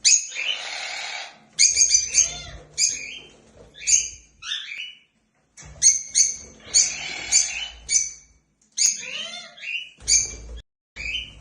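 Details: Happy African lovebirds flying freely, giving bursts of rapid shrill chattering and piercing squeaks in repeated phrases, with short quiet gaps between groups.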